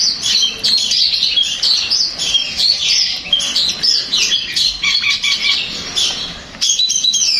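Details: Dense, varied song of a long-tailed shrike, meant to make another shrike reply and sing: a busy stream of high squeaky and scratchy notes, briefly dropping off before resuming near the end.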